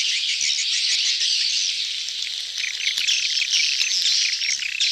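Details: Busy crowd of swiftlets in mating, in-heat excitement, a lure sound in the style called "betompok": dense, continuous high twittering and chirping from many birds at once, with rapid overlapping notes and no pauses.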